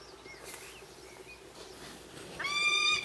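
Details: Peregrine falcon at an eyrie in the Ox Mountains, Co. Sligo, on a late evening of 25 May 2016 while feeding three-week-old chicks: faint thin whistles, then one loud harsh drawn-out wail near the end, over soft hiss.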